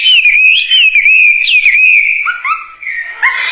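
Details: Wambie bird pouring out a vigorous song of pure wavering whistles with sharp upward flicks, then lower paired whistled notes and a final scratchy burst.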